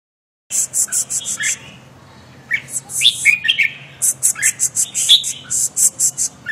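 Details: Red-whiskered bulbul singing: short warbled, whistled phrases at mid pitch, broken by pauses, overlaid by rapid bursts of very high, sharp chirps in quick runs, with a steady low hum beneath.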